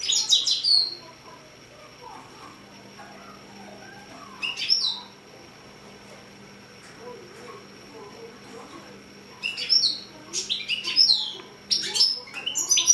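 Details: Six-month-old European goldfinch × canary hybrid, a caged bird, singing indoors; brief bursts of high twittering and sweeping whistled notes separated by long quiet gaps, with a steady low hum beneath.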